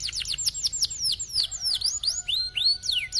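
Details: Canary singing in a high-and-low style, used to coax silent canaries into rolling quickly; dense run of quick descending whistled notes repeated several times a second, ending in upswept and falling slurs.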